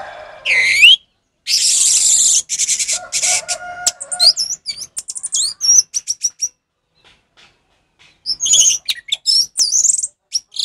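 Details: Captive-training ngeplong song of an orange-headed thrush: an upward-swept whistle, then loud broadband rattling bursts, followed by high warbled notes and twittering phrases after a short gap.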